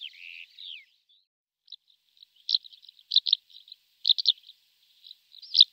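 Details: Greater short-toed lark, male singing in flight, song including mimicry: opening drawn-out whistled and slurred notes, then short bursts of clipped chirping twitters repeated at irregular intervals, no background noise.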